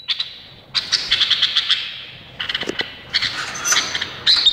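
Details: Indonesian bulbul singing in quick bursts of bright, chattering high notes with short whistled slurs, pausing between phrases, against a quiet background.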